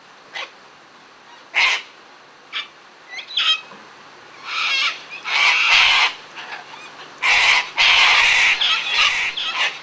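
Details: Sulphur-crested cockatoos, several birds out feeding and playing, give harsh, raucous, broadband screeches: a few short rasping bursts early on, then two long, drawn-out grating screams near the end, with brief quiet gaps between.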